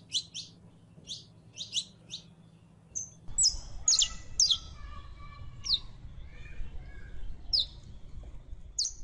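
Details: Female canary in heat calling a male for mating. Quick paired chirps and short whistles repeat about twice a second at an irregular pace, and background noise grows louder partway through.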